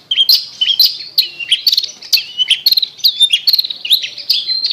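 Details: Long-tailed shrike singing, used to stir a silent shrike into song. The song is a continuous chattering string of high, slurred chirps and short whistles, roughly two notes per second, with quick ticks in between.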